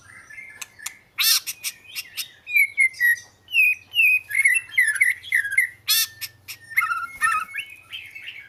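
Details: Oriental magpie-robin in full song: clear whistled phrases that dip and rise, interspersed with sharp harsh scratchy bursts, a lively irregular series of roughly two notes per second.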